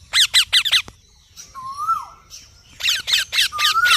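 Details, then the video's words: Parrot chirping: quick runs of harsh, rasping chirps, interrupted by a smooth rising-and-falling whistle, then more rapid chirps and another level whistle. "Parrot Chirping Sounds / Voices"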